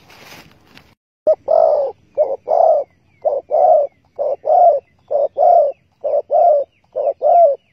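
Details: Spotted dove at a trap baited with bare bait, 15 August 2020: loud, close paired coos, a clipped note followed by a longer drawn note, repeated about once a second after a brief rustle.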